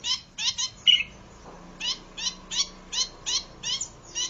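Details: Zitting cisticola recording used for luring and song-training birds: short, sharp high notes with a quick downward sweep, repeated at a steady beat about twice a second, with a brief higher chirp near the start.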